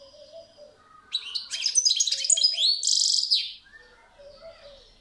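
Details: Soft, distant twitters from a goldfinch build into a loud phrase of jangling high notes and slurs. A coarse buzzing trill closes it. Quieter chirps from further off continue afterwards.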